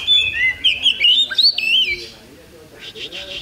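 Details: At a songbird contest held 8 October 2020, an Oriental magpie-robin gives loud, fluid warbled phrases with bending whistles, then softer scratchy notes as the song fades at the end.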